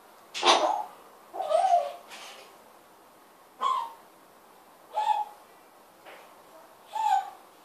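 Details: Pet African grey parrot vocalising in a small room: separate short bursts of throaty, laugh-like and word-like sounds, spaced a second or more apart with quiet gaps between.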